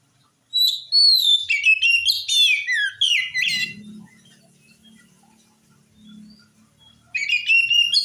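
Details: Oriental magpie-robin in top singing form, played to make untrained birds answer: a dense three-second stream of whistles and downward slurs, a pause filled by a low humming background, then song resumes sharply.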